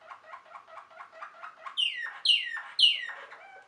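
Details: Waterslager canary, known too as Malinois canary, singing a quick series of soft gurgling notes that give way to three loud, sharply descending whistled sweeps, roughly half a second apart.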